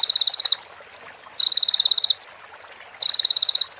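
A sunbird gives fast, dry high-pitched trills of about a dozen clipped notes, each burst ending in a brief sharper rising note, repeated three times.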